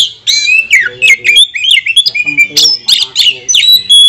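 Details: Oriental magpie-robin singing a provoking song aimed at rival birds: nonstop mix of rasping squawks, piercing whistled notes and quick mimicked-sounding phrases, with faint low clicks beneath.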